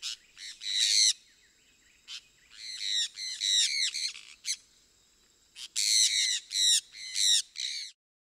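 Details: Sun conure, or sun parakeet, uttering shrill, grating screeches in quick runs of several notes, pausing between bursts, then a final series of evenly spaced harsh calls.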